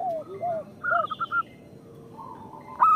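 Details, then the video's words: Local zebra doves used to lure other zebra doves: soft arched low coos, a quick run of short higher notes, then faint coos and the start of a louder note at the end. "Perkutut lokal gacor Suara Pancingan Paling Disukai Burung Perkutut"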